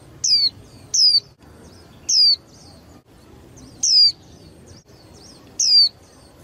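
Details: High, sharp descending whistles from a young female white-eye kept to stir males into livelier contest singing. Six notes come at uneven intervals over a faint low hum.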